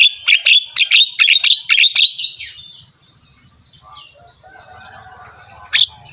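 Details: Javan myna with a rough voice giving a series of about ten buzzy, high chattering notes at about two per second, followed by thin faint whistles and a last harsh note.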